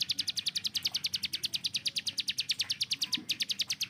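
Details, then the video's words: Unbroken rapid-fire song of a kept hill prinia: crisp high chips repeated about eight times a second for the whole four seconds, loud and even, like an automatic weapon. "CIBLEK GUNUNG || Melatih Speed dan Tembak Burung Gacoan"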